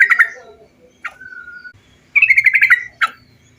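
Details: Bulbul singing as a lure for other birds: short gurgling chirps, a thin level whistle, then a rapid bubbling trill and a final sharp note, with soft low rumbling beneath.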